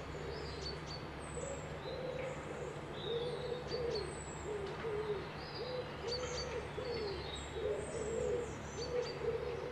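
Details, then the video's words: Birds recorded beside a loch at Piperdam near Dundee during a midweek break: low, soft cooing phrases repeated steadily throughout, with faint high thin chirps from other birds above a constant low hum. "Birds whistling"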